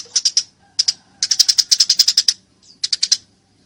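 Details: Eurasian tree sparrow in a fight uttering short clusters of crisp, high chirps, the middle run longest with about a dozen quick notes.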